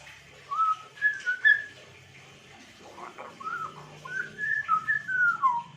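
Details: Whistling of a grey parrot, also known as the African grey: a short group of clear rising and level whistles, a pause with faint low murmuring, then a longer string of swooping whistled notes ending in a falling slur.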